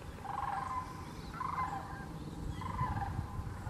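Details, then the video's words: Sandhill and whooping cranes at Wheeler National Wildlife Refuge, Alabama, 14 December 2019, giving rolling, trumpeting calls in three bursts about a second apart against a steady low rumble of wind or background noise. "Sandhill & Whooping Cranes"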